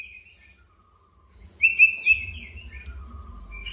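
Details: White-rumped shama song used to challenge a rival and provoke it into agitated singing; after a quiet start, a short burst of clear whistled notes with a brief rapid trill, trailing into softer lower whistles.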